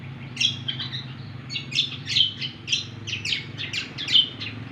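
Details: Cucak kombo singing vigorously: clusters of sharp, high chirped and slurred notes in repeated bursts, with a steady low hum in the background.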